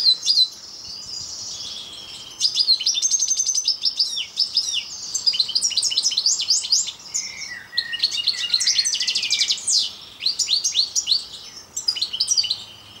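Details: Long song of a parva European goldfinch: busy bursts of high tinkling twitters and rattling trills, broken by brief pauses and a few lower slurred notes in the middle.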